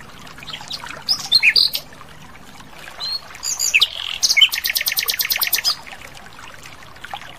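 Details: Wild Asian brown flycatcher in full song: scattered sharp high chirps and squeaky notes, then a fast buzzy rattle of rapid repeated ticks lasting over a second, with soft ambient noise between phrases.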